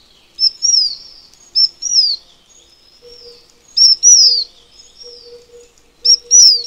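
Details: Taiwan fulvetta, a Taiwan endemic of high-altitude mountains, giving thin, high, down-slurred notes in short bursts every second or two, over a faint low hum.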